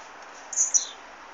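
A blue-black grassquit gives one brief, very high, buzzy note that dips at the end, over a steady soft hiss.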